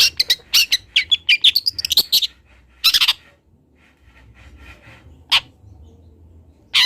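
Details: Long-tailed shrike, a local juvenile from Kendal learning its song: a quick stuttering series of sharp notes with a rising whistled sweep, then a few isolated harsh bursts after a quiet gap.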